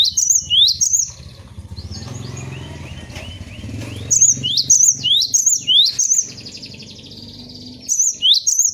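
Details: Cinereous tit, or gelatik batu, in 'bongkar isian' song for training kept birds. Loud bursts of rapid upslurred, trilled notes alternate with softer stretches of faint whistles and a background rumble.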